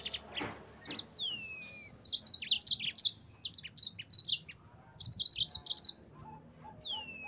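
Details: Yellow-fronted canary song for training other birds to sing: fast bursts of very high, sharp chirps packed into rattling runs, with a couple of clear descending whistled slurs, pauses between phrases, and a quiet background.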